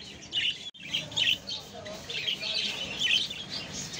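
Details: A pair of crested budgerigars chatter in quick, scratchy chirps and warbles, bursts coming and going without pause.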